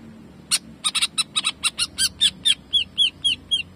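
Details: Greater green leafbird delivering 'jamtrok' song of rapid bursting notes, used to train other leafbirds: a quick volley of sharp, clipped chips, then several thinner, downward-slurred whistles repeated about three per second.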